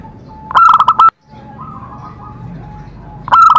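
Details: Zebra dove singing to encourage other doves to sing. A fast burst of five or six staccato cooing notes is followed by a soft, drawn-out cooing phrase. A second loud burst begins at the end.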